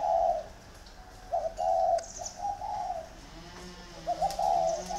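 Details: Competing pair of spotted dove decoys in Ba Vì, Vietnam: a strong coo, then grouped guttural notes after a pause, another cooing burst near the end.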